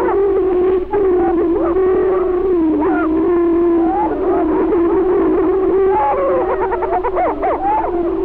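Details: Male greater prairie chickens fighting over territories on a spring booming ground in Benton County, Missouri, filmed in 1948: a continuous low droning boom beneath overlapping wavering, cackling calls.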